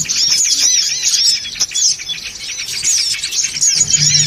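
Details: Songon otong birds calling together for luring: rapid, overlapping high twitters and chirps, a little softer midway, with a low hum at the close.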